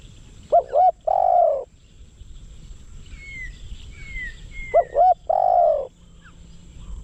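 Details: Decoy spotted dove luring wild doves, giving two cooing phrases about four seconds apart, each two quick looped notes and a drawn-out falling croon; faint higher thin whistles from another bird between them.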